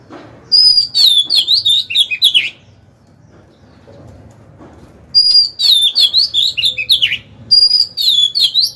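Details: Caged Oriental magpie-robin used as a decoy, singing to lure rivals into fighting: bursts of rich, varied whistled phrases sweeping down from high notes, each burst about two seconds long, separated by a quiet pause.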